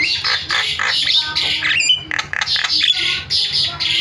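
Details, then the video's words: Jalak, a starling, calling in a recording used to lure other starlings into sound: raspy, broadband squawks in quick series, with a few thin clear whistled notes breaking through midway. "MASTERAN JALAK SUARANYA BIKIN JALAK PADA TERIAK"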